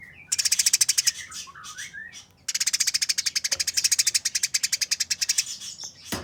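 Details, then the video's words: Eurasian tree sparrow fighting, giving a harsh, fast, tightly packed chatter (nyerecet): two long bursts of rapid dry buzzy pulses, the second lasting nearly four seconds, with a few softer chirps between them. "Burung Gereja Tarung Nyerecet Kasaran Speed Rapat Suara Jernih"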